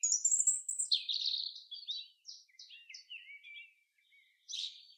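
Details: Common chaffinch singing in the forest: a loud, bright, descending run of repeated notes that slows and falls into lower twittering. A separate sharp burst follows near the end.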